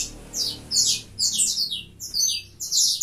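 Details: High scratchy chirping bursts from a mutation saffron finch, spaced roughly every half second, over a faint low hum.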